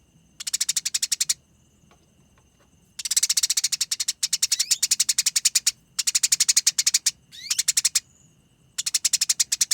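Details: Eurasian tree sparrow in a fight, giving long, dense, rolling konslet chatter used as master training material: rapid rasping note trains of one to two seconds each, one rising squeak, and short quiet breaks between bursts.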